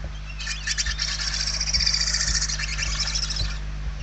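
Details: Barn owl chicks in a Spanish nest, hungry and calling, November 2023: a single drawn-out, smeared hissing rasp lasting about three seconds, swelling and fading, with faint bumps below.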